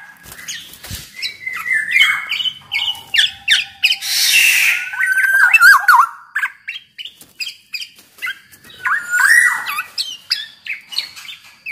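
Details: Black-naped oriole singing actively to prompt other orioles; quick chips and slurred whistles around a central harsh raspy burst, then stuttering fluted phrases.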